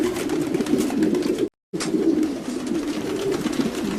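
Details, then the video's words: Domestic pigeons cooing together: low, throaty, overlapping rolling coos form a continuous murmur, broken by a short silent gap partway through. "Sounds of pigeons.Domestic pigeons"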